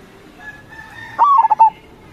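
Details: Local zebra dove, a keen singer played as a lure for wild doves: faint low tones first, then one loud phrase of a gliding opening coo, three rapid bubbling notes and a drawn-out closing note.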